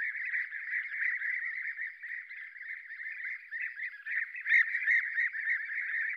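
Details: European bee-eaters at Děvínská Kobyla on 20 July 2019 keep up a steady, overlapping chorus of soft rolling, liquid 'prruip' calls, several birds calling at once with no pause.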